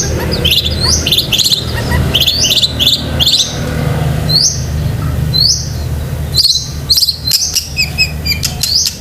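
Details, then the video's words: Long-tailed shrike pouring out lively fill-type song for training pet shrikes: clusters of high chirps and upslurred whistles in quick bursts, later scattered sharp ticks, over a steady low rumbling hum. "BURUNG CENDET GACOR ISIAN SEKEBUN"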